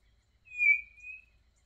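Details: A single drawn-out high whistle from a singing quail on a rural smallholding, swelling then easing off, in near silence.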